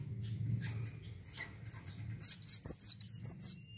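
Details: Cinereous tit singing vigorously: low humming noise gives way to a quick run of about seven high, ringing two-note phrases.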